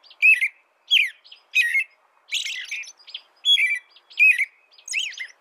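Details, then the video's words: American robin singing a series of short, clear, whistled caroling phrases, each slurring up and down, about seven phrases in five seconds with brief silent gaps between them and no other sounds. "canto de robin americano AMERICAN ROBIN"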